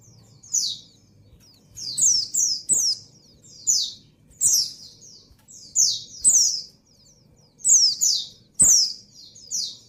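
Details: Female white-eye in breeding condition calling the male: rapid pairs and triplets of high, falling, squeaky notes repeating steadily, interrupted by occasional sharp clicks, over a quiet low hum.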